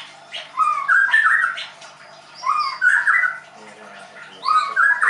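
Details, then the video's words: Captive White-rumped shama (murai batu, Leuser) at a bird school in Tangerang delivering three short, rich whistled phrases, each rising then tumbling, spaced about two seconds apart, with a faint low murmur between them. "MURAI BATU LEUSER"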